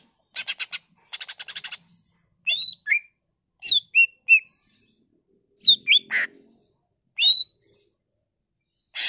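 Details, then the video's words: Greater green leafbird singing in the ngentrok style, a full isian song packed with mimicked phrases, used to stir other leafbirds into song; opens with two fast rattling bursts of clicks, then sharp rising and falling whistled slurs and a harsh buzzy note. "CUCAK IJO GACOR BONGKAR ISIAN NGENTROK PANCINGAN CUCAK IJO GACOR FULL ISIAN"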